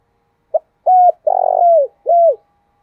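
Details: Spotted dove calling in the morning with a deep 'tho dac' voice: a short soft opening note, then a flat hooting coo, a rough throbbing coo sliding down, and a final falling coo, in a quiet setting.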